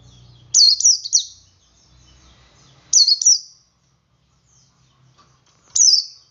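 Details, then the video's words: High-pitched ngalas singing by a male Oriental white-eye, intended to set other white-eyes singing: three well-spaced phrases of two to three quick, falling chirps with silence between. "Suara Burung Pleci Jantan Ngalas Memancing Pleci Lain Ikut Ngalas"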